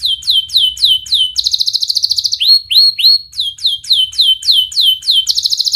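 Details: Canary song meant to teach young canaries to sing. Repeated sharp whistled notes fall and hook upward, interrupted by short, fast rolling trills, with the whole phrase delivered at a rapid, dense pace.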